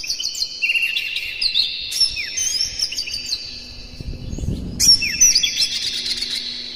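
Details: Oriental magpie-robin in morning song, meant to stir captive birds into singing. Rapid, varied whistles and slurred chirps pour out in two dense phrases, with a low rumble of background noise between them.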